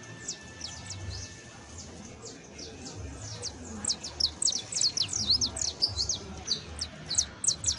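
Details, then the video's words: Juvenile saffron finch, locally called canario basto, singing: a run of short, high, sharp downslurred chips and ticks that grows denser and louder in the second half, with low hum in the background. "CANTO: CANARIO BASTO [SICALIS FLAVEOLA JUVENIL]"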